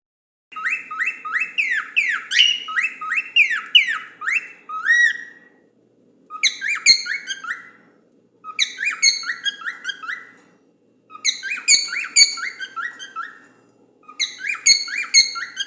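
A cockatiel sings phrases of rising and falling whistles, with a steady low hum underneath.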